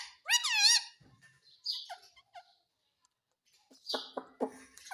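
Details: Talking parrot said to say "mummy": a single loud, shrill, wavering syllable opens, followed by softer scattered chirps and a few short, buzzy pulses at the end.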